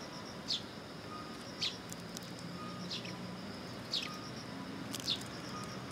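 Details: Sparrows coming for food early in the morning at a Tenmangu shrine, 18 September 2022; five brief sharp chirps at about one-second intervals against a constant faint hum and distant low rumble.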